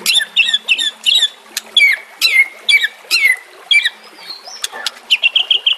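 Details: White-rumped shama song offered for training captive shamas: rapid chattering phrases repeated roughly every half second, each a buzzy cluster with a whistled tail, ending in quick high repeated notes.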